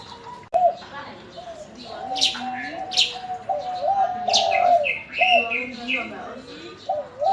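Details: Spotted dove answering the calls of other birds with repeated soft, low coos over several seconds. Sharp, high chirps and twitters from other birds overlap the cooing.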